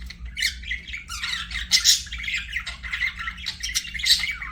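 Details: Pet budgerigars chirping indoors: busy, overlapping warbled chatter and squawky notes, mostly high-pitched, with a steady low hum underneath.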